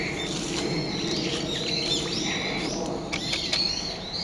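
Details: On a 26 November morning a brown-eared bulbul gives its everyday call: thin, high whistled slurs with short clicks between, fairly faint above a hissing background.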